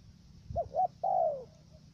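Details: Male decoy dove from Cà Mau, Vietnam, used for trapping wild doves. One stuttered coo phrase: two brief rising hoots, then a sustained, gently descending coo, over a low rumbling background.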